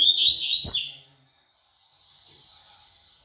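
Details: A double-collared seedeater gives one rapid, shrill burst of its tui tui song, high slurred chirps lasting under a second, followed by a faint steady hiss.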